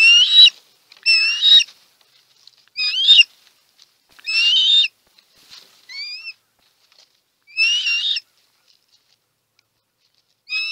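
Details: Osprey at a Chesapeake Bay nest, March 2018, food delivery on a live camera: short, slurred whistled calls with upward-bending notes, given singly with pauses of one to two seconds in quiet surroundings.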